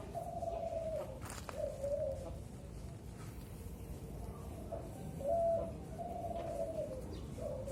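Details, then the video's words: Young zebra dove, four to five months old, caged and hoisted on a pole while being trained to sing; soft, low, mellow cooing phrases repeat roughly every one and a half to two seconds over steady background hum. "Melatih DERKUKU MUDA di kerekan"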